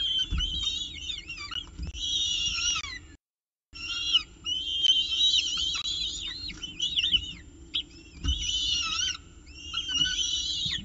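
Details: At a peregrine falcon nest in Orange on 19 October 2018, with breakfast, shrill quavering whistles are repeated in clustered bursts over about ten seconds, with one brief silent break and faint low background noise.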